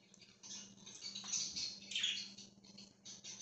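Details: Free-flying budgerigar flock: a short run of high, scratchy twitters and chirps, with one louder sweeping call near the two-second point, over a faint droning hum.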